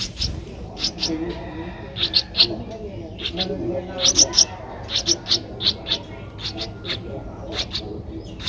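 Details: Twelve-day-old streak-eared bulbul nestling in Ubon Ratchathani, Thailand, 14 April 2023, sounding sharp high chips in uneven clusters, sometimes doubled, over a faint low hum.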